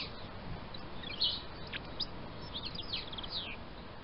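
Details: Robin singing in a garden in February: a faint, rapid run of thin, high whistled notes and short sliding phrases, some rising and some falling. The phrases sound scattered over a steady low background rumble.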